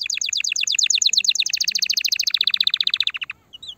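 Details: Canary song meant to stimulate the female: a rapid rolling trill of evenly repeated notes, dropping slightly in pitch midway, then fading to a few soft chirps.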